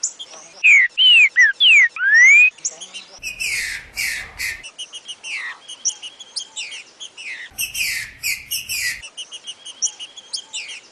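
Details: A green-winged saltator (trinca-ferro), singing a song type described as very rare and known only from Ipatinga, Minas Gerais, opens with five loud, clear whistled slurs, rising and falling, then softer chirps mixed with rustling, thumping noise bursts.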